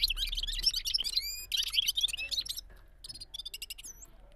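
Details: Gulsar bulbul singing in balkashal rolling style. Busy trilled and warbled phrases with two clear rising whistles give way to softer, sparser chips and a final curling note.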